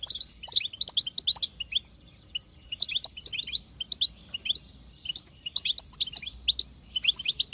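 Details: Batbata chatter of a wild female European goldfinch, played to stimulate male song: phrases of fast high twittering, quieter near two and five seconds, then renewed bursts.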